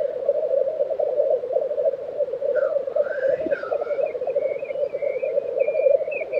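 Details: Black grouse at a lek in Tiveden, Sweden, in April 2023: a continuous low bubbling coo rolls on without pause, with a brief whooshing hiss midway and thin whistled notes from other birds above.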